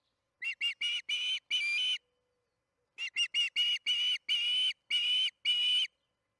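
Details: Evening feeding at an osprey nest in Charlo, June 21, 2019, 8:15 pm MDT, captured by nest cam. Five sharp whistled notes, a pause of about a second, then eight more piercing chirps that stretch longer toward the end.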